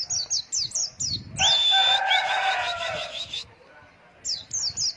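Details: White-eye training song for young birds in the long-breath 'ngalas wit wit' style: quick high downslurred notes, then a loud buzzy chattering burst with one sustained pure whistle, then high downslurred notes return.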